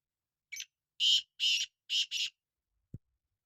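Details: A black francolin gives its harsh rasping phrase: one brief opening note followed by four broad, scratchy notes, the last two nearly joined. A single faint low click follows.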